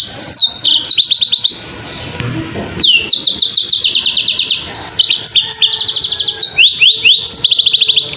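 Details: A yellow-fronted canary sings a very clear song of fast trilled note series, each note repeated rapidly and then dropping to lower whistled slurs. The song breaks briefly near the middle, then resumes with more rolling trills.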